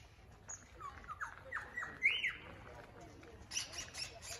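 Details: Lyrebirds in Dandenong, Australia: a varied run of sliding, downward-swept notes in the middle range, with one bright peak. Thin, high chipping notes repeat near the end over a quiet background hiss.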